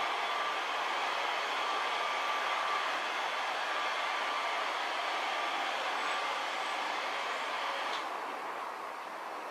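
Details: Loud continuous rushing roar like a passing train, fading slightly near the end, with no animal voice.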